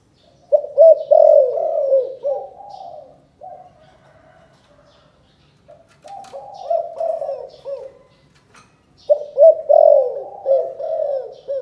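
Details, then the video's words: Spotted dove giving its 'chụp chụp ô' calling coo in Can Tho, Vietnam: three rounds of stuttered notes swelling into mellow falling coos, each ending in softer hums. Faint clicks and rustling occur between rounds. "Chụp chụp ô gáy gọi Thái Vân hoa : Cu gáy Cần Thơ"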